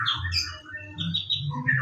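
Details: Brief fragment of white-rumped shama morning song, from a lure recording: a few clear whistled notes, one held steady and one rising sharply at the end, over faint low hum.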